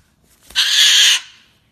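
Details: Pet cockatoo reacting to a little accident indoors: a single loud, harsh, hissing screech lasting about half a second, rising sharply and cutting off abruptly, followed by a quiet room.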